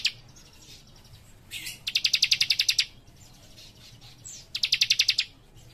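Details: A young warbler in full song gives two rapid bursts of high, bright notes, each about ten quick repeated chips lasting under a second, with softer thin chirps between.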